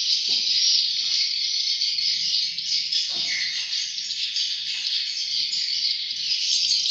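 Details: A steady, high, buzzy chorus from swiftlet chicks fills the whole stretch, joined by a few brief low knocks and thumps.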